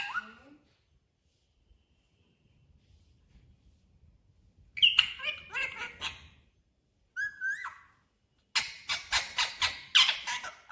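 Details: Parrot indoors: a short call, a quiet stretch, then bursts of varied chattering squawks and a falling whistle, ending in a fast run of repeated harsh notes.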